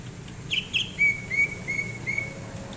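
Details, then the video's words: Greater green leafbird singing while relaxing, recorded January 2022: two short buzzy high notes, then four clear level whistled notes repeated about every half second, with a faint low hum behind. "Kicauan Cucak Ijo saat nyantai"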